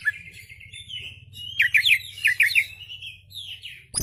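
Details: Oriental magpie-robin (kacer) song used as a lure, tail spread: a long thin whistle, then bursts of sharp rising chirps, over a constant low hum.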